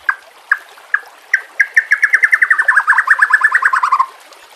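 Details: White-rumped shama song on a recording with nature ambience and trickling water, used for training caged birds: a few spaced notes accelerating into a fast chattering trill of about two dozen short notes that slowly drops in pitch.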